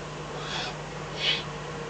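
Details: Eurasian eagle-owl in the Eifel on 24 May 2014, between 03:40 and 04:18 at night, with a fox brought as food; two harsh breathy hisses, the second louder, over steady low hum.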